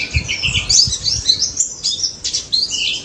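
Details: Pleci daput white-eye in vigorous nonstop singing, used as a lure to coax silent white-eyes into answering: quick high warbled twitters and thin buzzy chirps, with a few soft low thumps early on.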